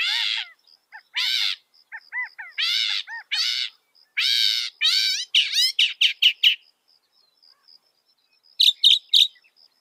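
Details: Northern mockingbird mimicking other birds: harsh nasal squawks with rich harmonics alternating with short soft notes, then a fast string of sharp chips and a brief high burst after a pause; a faint steady high tone throughout.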